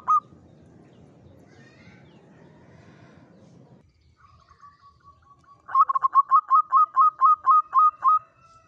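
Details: Local zebra dove lure song used to attract wild birds, in Mataram rhythm style: after low rumbling noise and a pause, a fast series of about ten bright, even coos near one pitch, roughly five per second.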